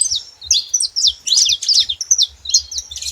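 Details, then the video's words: Free-living saffron finches sing a rapid jumble of high, tinkling chirps and slurred sweeps, several notes per second, with faint low thumps underneath. "canarinhos da terra livre na natureza"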